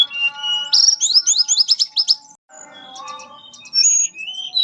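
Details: Mangrove blue flycatcher singing melodiously in the fluting nyuling style. A sustained whistle leads into a fast run of high, sweeping slurred notes, then a pause and further sliding whistles, with steady low tones beneath.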